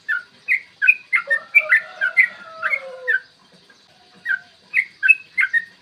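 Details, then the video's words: Yellow-vented bulbul giving the long rapid fighting song, a morning lure to stir other bulbuls: bubbly whistled notes in quick bursts, joined midway by a lower, drawn-out falling whistle, then a pause before the chatter resumes. "trucukan gacor TARUNG ROPEL PANJANG pancingan trucukan agar BUNYI dan EMOSI"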